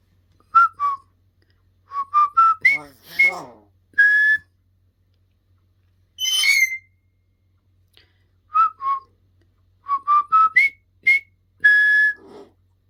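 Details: A pet talking hill myna practising, whistling the River Kwai March: loud, clear whistles in quick repeated rising and falling phrases, mixed with harsh bursts and speech-like mimicked sounds.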